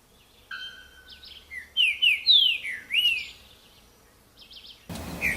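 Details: Wild green-winged saltator in nature delivering a whistled song of several loud, downslurred notes in a rapid series, after softer buzzy introductory tones, with a brief burst of noise at the end.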